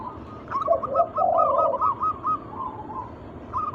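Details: Zebra dove, a wild local bird, singing to lure other doves into song: a run of quick, rolling coos near one pitch, with lower, softer purring notes mixed in, over a steady background hiss.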